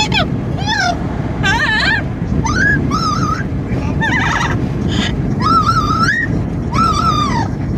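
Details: Amazon parrot making constant noise on a car commute: a busy string of squawks, wavering whistles and rising wails, some in quick stuttered runs, over a background roar of wind and road.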